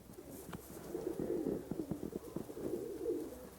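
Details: Low, soft cooing from a group of pigeons kept with turkeys and chickens on a farm, overlapping murmurs rising and falling.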